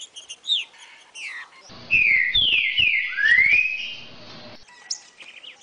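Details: Green-winged saltator song used to excite a captive bird into singing: faint chirps, then a strong whistled phrase of three descending slurs and a long rising sweep, followed by quieter high notes.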